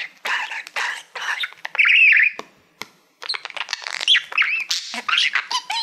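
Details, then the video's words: Mirror-loving pet male budgerigar singing to a reflective silver award: scratchy chatter and warbled squeaks, a brief buzzy trill, a short pause, then faster clicking warble with wavering whistled notes. "Budgie singing to Youtube Playbutton"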